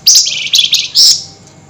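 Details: Flameback calling excitedly at night: loud, harsh, scratchy chattering in three rapid bursts over about a second, very high-pitched and noisy, fading into quiet.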